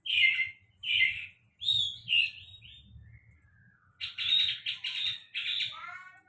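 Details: Sulingan laut singing clear downslurred whistles, a few sharp chirps, a soft trailing note, then a dense buzzy chattering phrase followed by descending whistled notes.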